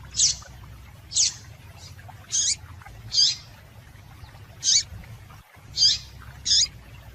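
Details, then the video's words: Female double-collared seedeater calling to rouse males: eight quick high chirps, roughly one every second, each sharp and slightly descending, with steady low background noise. "Melhor Piado de Fêmea de Papa capim Para Esquentar Papa capim"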